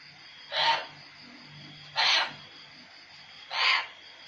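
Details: Cockatoo kept in an outdoor cage at home, imitating the cats it hears fighting every day: three harsh, hissing screech bursts, each about a third of a second, roughly 1.5 seconds apart, over a low steady background hum.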